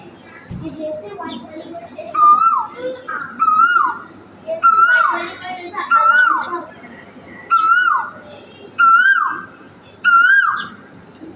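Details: An Asian koel (Eudynamys scolopaceus) sings in a tree in the morning: a loud, rising whistled 'ko-el' seven times, about one a second, with faint voices and other birds behind.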